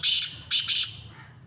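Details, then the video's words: Black francolin call: three harsh, grating, high-pitched bursts, a longer first one followed by two short ones in quick succession, then a faint trailing note. "Kala Teetar ki Awaz"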